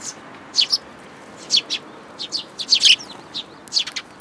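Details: On 21 June 2022 at a Tenmangu shrine, sparrows and a young new arrival visit a feeder in a plum tree, uttering loud, sharp chirps in twos and threes with short gaps between.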